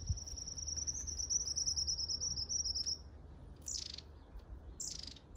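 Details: Long-tailed tit in Grunewald on 20 March 2021 gives a very high, thin, fast trill for about three seconds, then two short buzzy, sputtering notes, over a low rumble of distant traffic.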